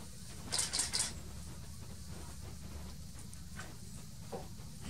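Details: Great spotted woodpecker (Dendrocopos major) in Hoge Veluwe park, Netherlands, 18 July 2018, gives three sharp, high 'kik' notes in quick succession, with a low steady rumble behind and a few faint later notes.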